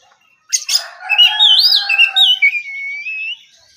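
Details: Oriental magpie-robin giving a short relaxed morning phrase: a harsh opening burst, then looping whistles and a long, gently falling whistled tone.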